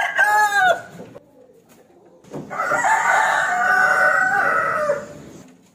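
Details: Rooster challenging its rival with a crow: the tail of one call, then a long, harsh, drawn-out crow of about two and a half seconds, held steady before fading away.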